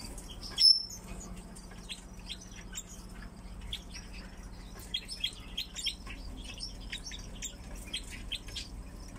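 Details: Captive crossbills kept together with pine grosbeaks: sharp, high chip notes from several birds, given in quick irregular bursts, with one loud clatter near the start and a faint steady low hum behind.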